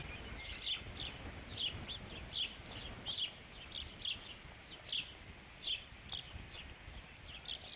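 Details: Ospreys at a nest on Dunrovin Ranch on 3 July 2016, during the fifth fish delivery. Sharp, high chirping whistles come in short bursts about once a second, sometimes doubled, over steady low background rumble.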